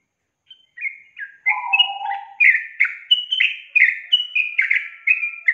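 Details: Sooty-headed bulbul song for coaxing an untrained young bird into singing: after brief silence, quick bubbly whistled notes tumble downward in rapid succession, with one lower warbled phrase early on.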